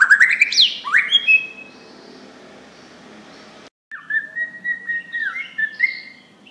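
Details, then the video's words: Loud Borneo white-rumped shama song used as a lure for other birds, rich rising whistles at the start, a long lull, then a fresh burst of slurred, falling whistled phrases. "MURAI SUARA KERAS"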